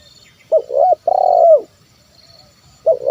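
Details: Terkukur, or spotted dove, in 'kuk 1' style cooing to lure wild birds: a brief double hoot, then a long rolling purr slightly falling, and the next phrase starting after about a second and a half of quiet.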